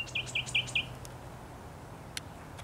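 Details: Thrush nightingale singing in bushes on 8 May 2021: four loud, clipped notes slurring downward, repeated quickly in under a second, then quiet with faint distant chirps and a low background hum.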